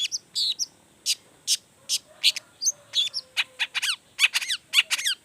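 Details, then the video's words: Long-tailed shrike delivering an emotional, showy song to stir other shrikes into singing. Dense, varied notes mix crisp chips, short rasps and steeply falling repeated whistles that run close together. "Toetan Cendet Gacor Full Emosi Bongkar Materi Bikin Cendet Lain Langsung Panas Nyaut Ikutan Bunyi"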